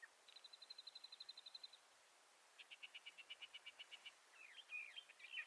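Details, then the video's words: Bendire's thrasher singing softly in western North America: a quick series of high chips, then a run of slightly lower repeated notes, ending in sweet warbled phrases. "Bendire's Thrasher Bird Song"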